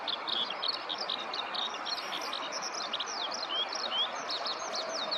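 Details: A Eurasian skylark delivers a long song from the ground in a rice field, recorded close up and handheld. Fast, varied chirping and rapid trills run on continuously, with a few clear rising and falling whistled notes mixed in.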